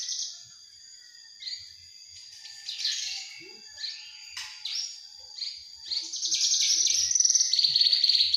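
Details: Young Javan bush lark gives spaced bursts of buzzy twittering every second or so, building to a loud, fast, continuous high trill with sharp repeated notes in the final seconds; shared for song mastering.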